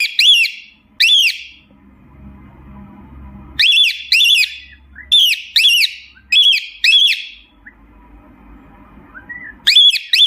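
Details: Cockatiel calling out to its companions, sounds used to help find a lost parrot: piercing arched whistles in pairs, separated by short pauses with low background rumble and faint softer whistles.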